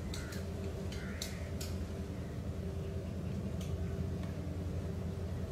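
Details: House crows (Corvus splendens) at a car park on Marina Bay Island, Lumut, Perak, Malaysia, 22 November 2017 around 18:15, give a few short, harsh caws spaced irregularly over several seconds against a steady low background rumble.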